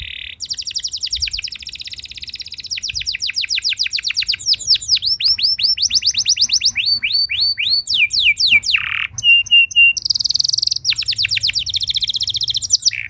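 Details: Canary song used to prompt other canaries to sing: rapid trills of downslurred notes, then looping upswept phrases, short buzzy bursts, clear whistles and a rasping churr, all high-pitched and varied over thirteen seconds.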